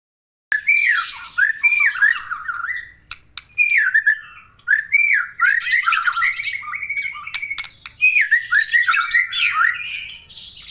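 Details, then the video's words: White-rumped shama from Aceh in full song: loud, varied phrases of rich whistles, swooping slurs and harsh rattling notes, delivered in bursts separated by short pauses. "MURAI BATU SUPER GACOR"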